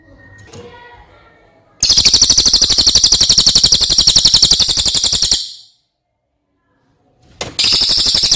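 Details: Cililin singing as a master song for training other birds: a loud, shrill rolling trill of rapid pulses, about four per second, lasting several seconds, then silence and a fresh trill starting.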